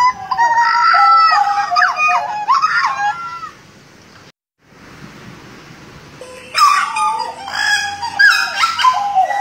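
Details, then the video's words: Butcherbird recorded in Jayapura, singing energetically: dense bursts of rasping, richly overtoned notes with quick up-and-down slides, a few seconds of quiet in the middle, then another harsh burst. "JAGAL BLOROK GACOR JAYAPURA"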